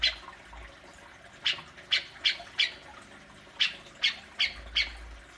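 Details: Grey-cheeked bulbul besetan for prompting kept cucak jenggot: after a quiet start, two short bursts of four grating, squawky notes each, separated by a pause.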